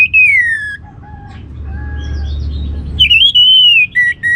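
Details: Orange-headed thrush singing a teaser song meant to prompt other birds to sing, with loud, clear whistles sliding downward, soft low notes in between, then a wavering whistled phrase and short repeated whistles.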